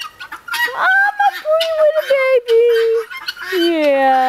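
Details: Helmeted guineafowl, pets being called home by their owner, give loud, tonal, wavering calls that run together in quick succession.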